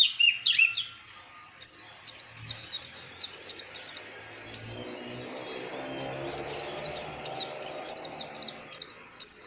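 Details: Oriental white-eye, a yellowish white-eye of tropical Asian open woodland that forages in small groups, uttering a long run of high thin downslurred chips, spaced irregularly, over soft low background noise.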